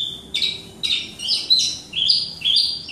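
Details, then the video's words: A captive Javan Horsfield's bush lark from Wates in full lively song: rapid, high, sweet phrases with buzzy trills and clear whistles, each burst about half a second apart, with no other sounds. "Gacor Dor - Branjangan Javanica"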